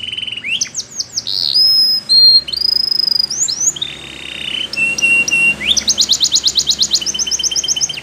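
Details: Belgian canary singing a training song for canaries: varied whistles, some steady pure tones and upslurs, then a rapid rolling trill dominating the final seconds, with a faint low hum underneath.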